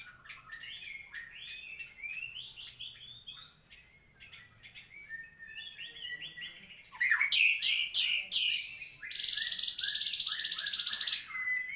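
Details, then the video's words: White-rumped shama singing: quiet varied warbles and whistles for several seconds, then a sudden loud burst of harsh rattling notes followed by a fast, even trill held for about two seconds. "Kicau Murai Batu Maskot Para Pecinta Burung Kicau"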